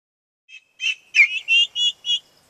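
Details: Domestic turkey poults upset because the farm's chickens have ranged out of sight: a short burst of high, thin peeps, first a faint note, then five louder clear whistled cheeps in quick succession.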